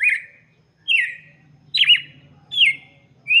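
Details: Red-cowled cardinal song intended for young birds: five loud, clear whistled notes, each dropping from high to mid pitch with a short trailing buzz, spaced about 0.8 seconds apart, over a faint low hum.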